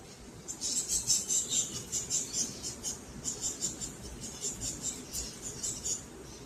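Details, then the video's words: Caged peach-faced lovebirds chattering in rapid high chirps, pulsing roughly two to three times a second in a continuous run with brief pauses. "Beautiful Lovebirds Activities & Sweet Chirping Sounds"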